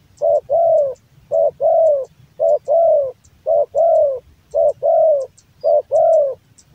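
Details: Male spotted dove (tekukur), a hobby bird with a big voice, cooing loudly: a short note followed by a longer, slightly falling coo, the pair repeated steadily about once a second.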